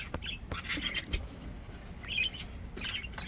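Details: Healthy, happy pet budgerigars give short warbled chirps in quick bursts, interspersed with sharp clicks and light tapping sounds.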